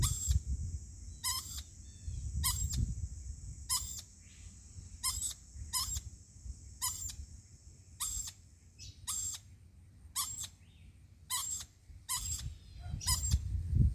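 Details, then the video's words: A lorikeet gives a long series of brief, grating, screechy notes, often in quick pairs, spaced irregularly about a second apart, over a steady low rumble of background noise. "Lorikeet making this noise , idk why?"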